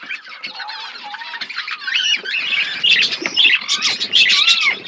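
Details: A flock of budgerigars chirping as they eat food, a continuous warbling chatter of looping whistles and scratchy squawks that grows louder toward the end.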